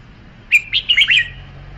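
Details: A red-whiskered bulbul gives a short, cheerful song phrase: five or so rapid, fluty notes running together with rising and falling slurs, finished in about three-quarters of a second, no other sounds.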